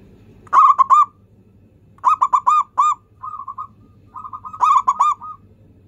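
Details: Local zebra dove in full song, used as a lure to coax doves that rarely sing. Three bursts of rapid staccato cooing notes, each burst with four or five clipped, ringing coos plus softer trailing notes, over a quiet low hum.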